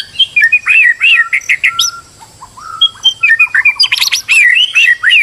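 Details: Stressed white-rumped shama singing as a lure to make another bird sing, with a busy mix of whistles, slurred notes, buzzy bursts and quick repeated chirps, broken by one short pause.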